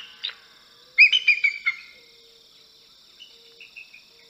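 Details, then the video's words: A bald eagle gives a quick burst of five high, thin, chittering whistles, followed by a few softer, fading piping notes over a steady faint background hiss. "Chant du pygargue à tête blanche / bald eagle song"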